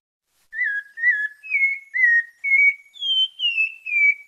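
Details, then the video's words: A Bahia pale-breasted thrush (sabiá parda da Bahia) sings its melodious "santa fé" song: a run of about eight clear, slurred whistles, each roughly half a second, climbing in pitch midway. "SABIÁ PARDA DA BAHIA, CANTO MELODIOSO(canto santa fé)"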